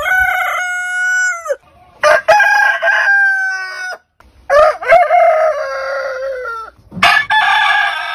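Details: Several heritage-breed roosters crow one after another, long level crows that end with a drop, some rough and broken into bursts, separated by brief pauses.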